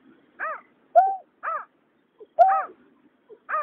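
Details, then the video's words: Male and female water rail, 2021, alternating calls: a broad, grating falling note, then a clear flat note that bends down, the sequence recurring every second and a half, with small clicks between. "Tiếng nhát hoa, cà cuốc trống mái"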